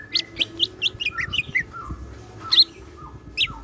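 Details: Cucak ijo, the greater green leafbird, kept in a collection and singing actively with siklon filling. Fast rising-falling chirps repeat, interleaved with low slurred whistles. A harsh burst is followed by more sharp notes. A soft hum runs underneath.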